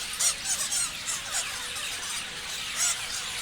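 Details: Continuous chatter from a bunch of parrots: thin, high chirps and scratchy squeals overlap densely, with several louder shrill squeals near the start and one near the end.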